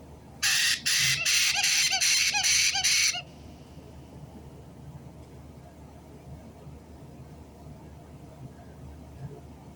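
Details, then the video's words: White-bellied caique, 3 April 2022: a quick burst of six loud, raspy squawks in under three seconds, then a long stretch of quiet room noise. "White-bellied Caique 金凱克 鸚鵡 Parrot"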